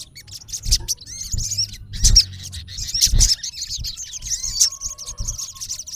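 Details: Male olive-backed sunbird calling a rival: scattered high chirps and short squeaky whistles in an uneven run, with low thudding sounds behind.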